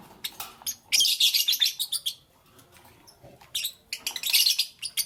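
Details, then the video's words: Lovebird chirping in the morning: two dense bursts of sharp, high, rapid chirps and squeaky calls, the first around one to two seconds, the second near four to five seconds, with a quieter gap between. "Lovebirds Chirping Sounds"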